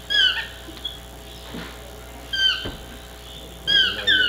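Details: Chestnut-mandibled toucan calling in repeated descending yelps, three bursts spaced over about four seconds, the last a quick double note, with faint knocks and rustles between.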